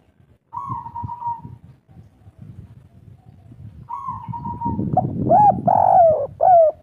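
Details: Spotted dove of local wild stock in 'kuk 3' style: two long, steady mid-pitched hooting notes separated by low murmuring noise, followed at the end by a few loud bowed coos.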